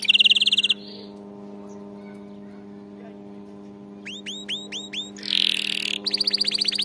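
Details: Canary training song meant to teach canaries to sing: a fast buzzy trill opens, then a pause, then a run of repeated rising whistled upsweeps and a rapid rolling trill, over a steady electrical hum.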